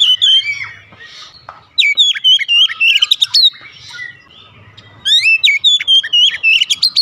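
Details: Kacer (Oriental magpie-robin) singing for therapy of a lazy singer: rapid outbursts of varied whistles, sharp rising slurs and clicks, three bursts in seven seconds.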